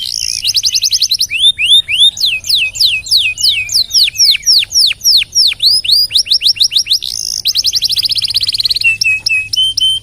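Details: Canary singing a long, strong song used as a tutor recording for training other songbirds: rapid trills of repeated high notes, sweeping downward whistles, and buzzy rolling phrases, continuous throughout with a steady low hum beneath.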